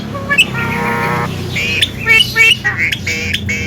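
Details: Javan myna giving a mblegedeg-style song used to prompt silent mynas to sing: harsh buzzy harmonic notes, a held flat tone, then quick squeaky upslurred chirps, over a steady low hum.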